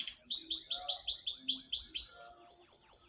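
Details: Canary called a panda canary, singing rapid rolling trills of high, sweeping notes repeated about five times a second, then switching to a brighter, slower trill near the end.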